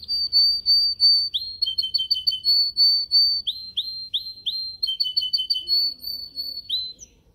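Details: Yellow canary singing in a cage during training, recorded on a phone: long steady high whistles alternating with fast rolling trills and repeated downward-sliding notes, clear and sustained.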